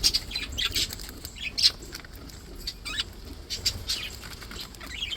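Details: Happy, healthy pet budgies chattering: scattered short high chirps and warbled twitters, some rising, over a quiet hum.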